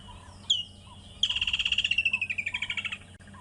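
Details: Woodland kingfisher, a common African bird more often heard than seen, at sunset on safari in late November: a single sharp high note, then a long rapid trill that slides slowly downward and fades over two seconds; faint low hum behind.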